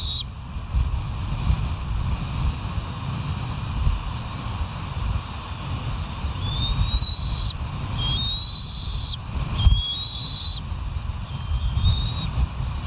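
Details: Wild bald eagles at the West End nest on a live nature cam, 28 July 2023 at 05:13. After several seconds of heavy wind rumble, a run of thin, rising whistled notes comes in short repeated phrases.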